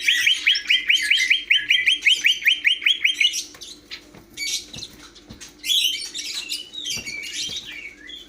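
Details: Greater green leafbird opens with a rapid string of about fifteen repeated upswept notes, then switches to scattered scratchy chatters and whistles; faint low hum in the background.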